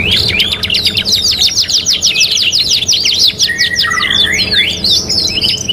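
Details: A canary ('kenari gacor') from a three-in-one training mix pours out fast sharp chirps repeated several times a second, followed by swooping whistles and loose warbles near the end. Faint background hum.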